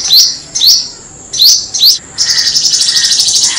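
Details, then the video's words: Black-throated Sunbird, song used for luring birds: four high, sharp rising chirps, then a fast dry buzzy trill of rapid ticking notes to the end. "Hút mật họng đen, tiếng hút mật họng đen chuẩn không tạp âm"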